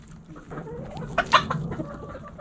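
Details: Backyard chickens give a few short, abrupt clucks, with a sharper burst in the middle; a low background hum runs underneath.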